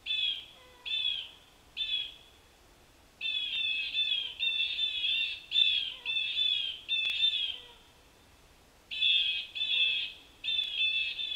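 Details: Blue Jays at a feeder garden on Nov 3, 2022 sound the alarm at a nearby Cooper's Hawk, giving harsh, raspy jeer calls, first spaced out, then in a rapid overlapping run, with a pause before another burst.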